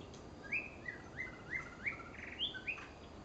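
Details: Female white-rumped shama giving a run of about eight clear whistled notes, each a short upward slur, spaced roughly every third of a second, with a faint background hiss.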